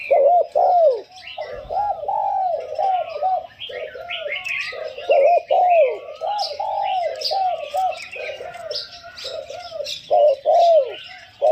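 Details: Spotted dove kept as a decoy bird, cooing continuously in rhythmic phrases. Loud accented notes recur every few seconds between softer hooting coos. Busy chirping of other small birds fills the background.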